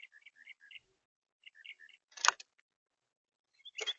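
Red-bellied woodpecker giving quick runs of short, bright chip notes that alternate between two pitches, followed by a couple of sharp knocks or clicks.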